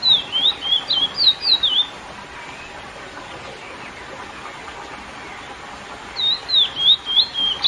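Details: Lesser seed finch in classic song aimed at exciting females: two short phrases of ringing, looping whistles, one at the start and one at the end, separated by about four seconds of quiet hiss.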